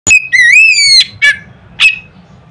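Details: Oriental magpie-robin singing loudly to spur other magpie-robins to sing: one long clear whistle swooping down then up, followed by two short sharp accented notes, with a low background hum.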